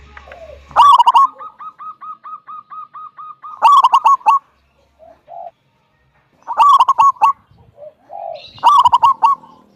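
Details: Local wild zebra dove (Geopelia striata) singing bursts of soft, rolling, stuttered coos every two to three seconds, with an even train of quieter notes between the first phrases; the song is used to prompt other doves to sing.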